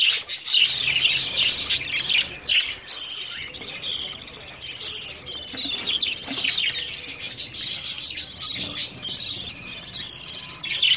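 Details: Many budgerigars in a breeding setup in early summer, a dense overlapping chatter of high chirps and squawks, sharp calls repeated about twice a second, with a faint hiss underneath.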